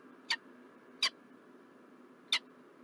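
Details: Three brief, high, clipped chips from a peregrine falcon in Montreal, Canada, recorded 4 November 2023, spaced unevenly against a constant low background hum.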